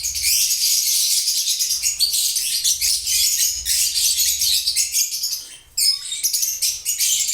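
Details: Lovebirds chirping: a dense, continuous chatter of high, scratchy chirps and twitters from several birds overlapping, with a brief lull near the end before the busy chirping resumes.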